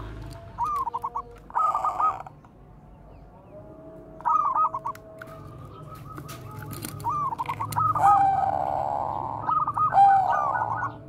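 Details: Bangkok zebra dove's bekur koar-koar song, used as a lure to train other doves: spaced phrases of rapid clipped notes and mellow held coos, growing louder toward the end over a low hum.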